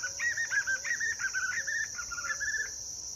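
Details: Singing white-eared puffbird recorded 23 June 2023 at Cavas de Areia, Univap, São José dos Campos, São Paulo state, Brazil; quick series of tremulous whistles, loud at first then gradually softening, with continuous shrill insect buzzing in the background.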